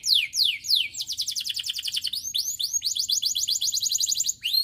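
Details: A canary sings to stimulate others: three loud falling whistles, then rapid rolling trills of repeated high syllables broken by curved chirps, all with a faint steady hum underneath.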